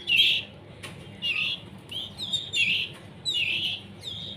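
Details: Hand-fed canary chicks, not yet independent, beg with rasping, hissy chirps in short clustered bursts separated by brief pauses, plus a faint click.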